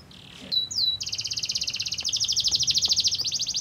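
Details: Canary song used as a lure to set other canaries singing: a short buzzy note and two high slurred whistles, then a loud, fast rolling trill that pulses steadily to the end.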